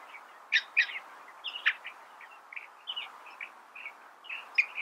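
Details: Moderately faint California thrasher song of scattered varied syllables, a few sharp loud notes set among quieter warbled fragments with short pauses.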